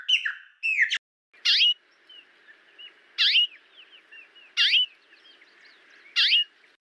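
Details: Brazilian Cerrado birds: loud harsh rising calls repeated roughly every one and a half seconds over a soft background chatter of thin chirps and twitters.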